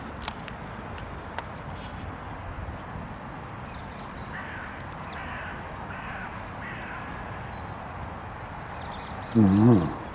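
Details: Carrion crows being fed cashew and Brazil nuts in a park, with magpies and grey squirrels about, give a few hoarse, harsh caws over steady outdoor noise, ending in a loud low burst that may be a human voice.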